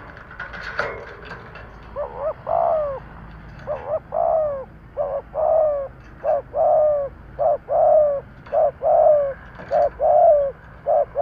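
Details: Kept decoy spotted dove trained to coo and stir up wild doves. It gives a brief rustle, then a steady run of short, arched, mellow coos, often in pairs, about a dozen over ten seconds.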